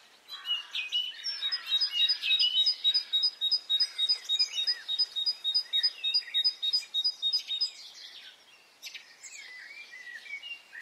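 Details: Birds singing on a spring morning in Brittany: a long steady train of rapid high paired notes dominates for seven seconds, over soft twittering, then quieter scattered chirps.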